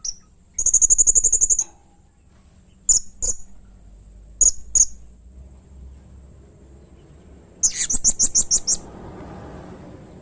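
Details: Serindit or blue-crowned hanging parrot singing vigorously as a lure: a fast trill-like string of high piercing notes, scattered single and paired squeaks, then another quick series, over low background rumble.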